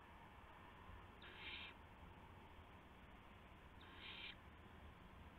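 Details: Owl at a nest around midnight on 19 March 2016, while adults deliver a gopher and mice to the owlets. Two rasping hiss bursts, each about half a second long, are spaced about three seconds apart over a steady low rumble.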